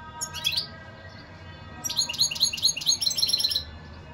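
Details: Goldfinch song in bursts: a short opening twitter followed by a fast chain of liquid, metallic chirps repeated many times in quick succession, clear and high above faint low hum.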